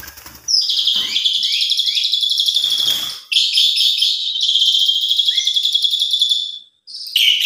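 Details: Asian pied starling, 'mompa full isian' lure song intended to make other starlings sing: a sustained, dense, buzzy high trill of several seconds, broken by a short gap, with a few faint lower notes behind.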